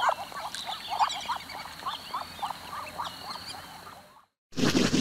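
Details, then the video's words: Muscovy duck calling in a quick series of short, rising notes, several overlapping, over a steady high hiss; the sound cuts out abruptly near the end, then resumes loudly. "Muscovy duck"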